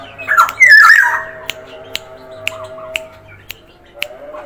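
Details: Black-naped oriole from Sumbawa in full active voice: a loud, harsh, nasal burst with wavering pitch lasting under a second, then regular sharp clicks and a faint steady hum in the background.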